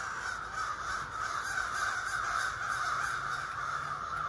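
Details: More than thirty ravens in trees across a street call at dawn, a continuous, dense wall of hoarse, overlapping caws with no pauses, loud and steady throughout.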